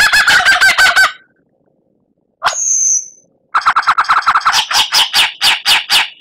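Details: Murai batu masteran for captive birds: a fast stuttering rattle of harsh notes, a gap of silence, one high thin whistled note, then another long run of rapid chattering notes repeated several per second.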